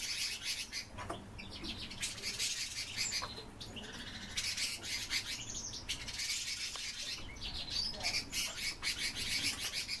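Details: Rosy starlings kept in captivity, giving a dense, continuous chatter of harsh chirps and rattling notes, many birds calling at once with no pause throughout.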